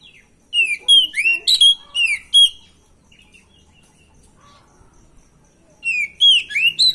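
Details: Stressed oriental magpie-robin (kacer) in training, singing to provoke a reply: a lively burst of rising and falling whistles and sharp chirps, a few soft notes in a long pause, then another whistled burst.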